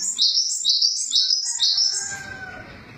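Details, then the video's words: Java sparrow giving rapid high chirps that rise and fall in a bright run, followed by a fading drawn-out lower whistle and soft background noise. "Suara burung glatik"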